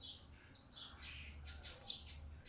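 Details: A newly acquired caged blue-crowned hanging parrot utters three piercing, thin high chirps in quick succession, each louder than the last, with soft twittering between them.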